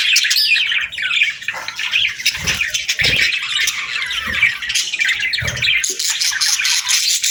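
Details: Budgerigars chirping in the morning: a dense, continuous chatter of high squeaky chirps and warbles from several birds at once, with soft low thumps underneath.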